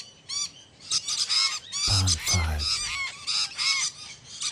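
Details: Kept exhibition budgerigars chattering in a flock, giving quick rising-and-falling harmonic chirps. A short low rumble, possibly a voice or handling noise, sounds near the middle.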